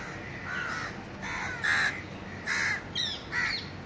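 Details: Indian house crows in a city park in Delhi, India, calling to communicate with other crows: harsh cawing notes, about five rough caws in under four seconds, some overlapping, over steady background hum.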